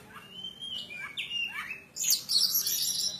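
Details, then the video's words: Oriental magpie-robin of the Javan kacer poci type, from Java, singing persistently: clear slurred whistles rising and falling, sliding downward notes, then a loud harsh buzzy burst near the end. "Burung Kacer Poci Asli Jawa Yang Ngotot"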